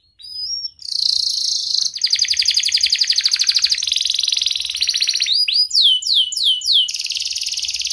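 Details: Domestic canary, a persistent singer, with a sharp 'cuit cuit' rolling song used as a lure to start lazy or silent canaries singing. Long, very high, dense buzzing trills, then a run of quick downward-sweeping whistled notes.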